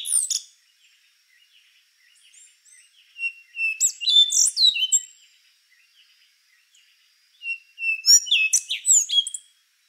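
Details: Rufous-brown solitaire, an endangered thrush, singing in bursts of high whistled and buzzy notes with sharp sweeping phrases, separated by pauses of a few seconds; a faint steady high tone runs underneath.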